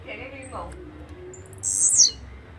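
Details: Blue-black grassquit giving one sharp, high, buzzy note that drops in pitch. Faint softer chirps come from other sounds just before it.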